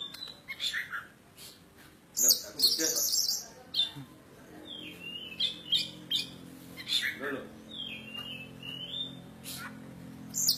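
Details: Insistent song of a kacer poci oriental magpie-robin native to Java: scratchy high bursts, then a series of downslurred whistles in quick succession, with faint human voices behind.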